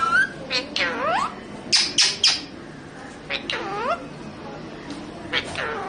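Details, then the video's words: Indian parrot mimicking Hindi words, making a series of sliding, voice-like syllables that dip and rise in pitch, mixed with brief harsh bursts, separated by pauses and set against steady background hiss. "indian parrot talking बोलने वाला तोता.....नकलची तोता..प्यारा तोता.."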